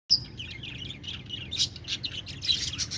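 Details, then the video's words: Budgerigars chirping: a dense, continuous stream of high twittering and warbled chirps from several birds, with louder bursts throughout and a low steady hum underneath. "parakeet chirping sounds | budgie sounds"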